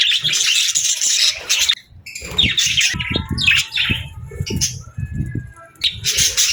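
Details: Playful, friendly budgie chirping happily: bursts of loud scratchy warble alternate with short pauses filled with thin rising whistles, clicks and soft low knocks.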